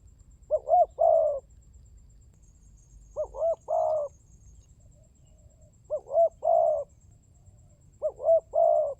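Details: Spotted dove (tekukur) coos meant to lure and stir birds into calling: four phrases about two and a half seconds apart, each a stuttered pair of short notes ending in a fuller drawn-out coo.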